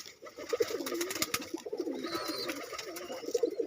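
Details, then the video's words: Several domestic pigeons, kept as pets and let out of their loft, call together with low, throaty rolling coos that overlap in short bursts, over a busy background of clatter and faint higher chirps. "ডাকাডাকি করছে আমার কবুতর।"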